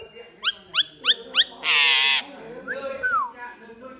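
A myna sings four quick rising whistled notes about three per second, then a harsh rasping burst and a few slurred falling whistles.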